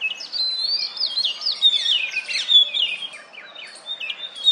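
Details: Oriental magpie-robin courting from a wooden stump, calling to females for mating; a clear, loud tumbling song of rising whistles, quick downslurred notes and twittering phrases in a near-continuous stream.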